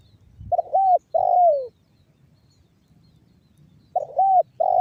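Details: Spotted dove in the banggo bocor style, a lure to get other doves calling. Low, soft coos: a stammered start, an arched note, and a long downward-gliding coo, with a new phrase starting about three seconds later.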